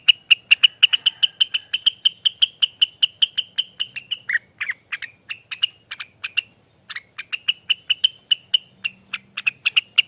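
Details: Ropelan song of a Rengganis: a rapid unbroken stream of short piercing chirps, several lower notes near the middle, a brief gap, then the quick high series resumes.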